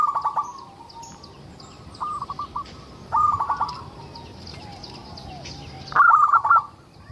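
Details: Singing local zebra dove used to draw responses from other zebra doves: four stuttering coo phrases, growing louder, the last a strong rapid trill of clipped notes.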